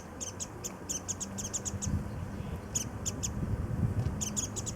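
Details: High, thin chirping notes in quick runs from a warbling white-eye sipping nectar among early cherry blossoms at Kitago Station in Nichinan, Miyazaki, Japan; groups of rapid chips separated by brief gaps, louder low-pitched rumble underneath.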